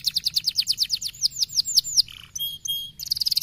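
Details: Canary delivering rapid 'speed rapat' song, intended to agitate fighter canaries: a fast series of high down-curving chirps, a brief dip, a short flat ringing tone, then a dense high trill resuming.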